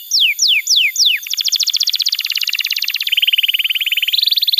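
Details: Canary song used as a tutor recording for young canaries and to prompt silent ones: four descending whistled slurs, then a fast high trill changing to a lower rolling trill and a brisk higher trill, with a faint steady high tone behind.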